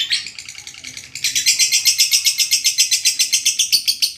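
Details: A lovebird's long ngekek chatter for training birds: a softer pulsed opening, then about seven loud, high, rasping pulses per second repeated evenly to the end.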